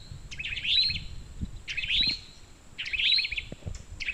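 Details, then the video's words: Towhee mating call, three loud chirped phrases that each sweep sharply upward, spaced about a second and a quarter apart, over faint low background rumble. "Towhee mating call meeting and other birds join in"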